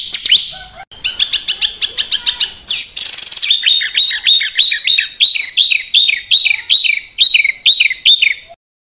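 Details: Burcil (Indonesian small songbird) master recording of rough 'besetan kasar' song used to tutor caged and contest birds; fast high chirps, then a run of repeated sharp descending whistled notes about twice per second.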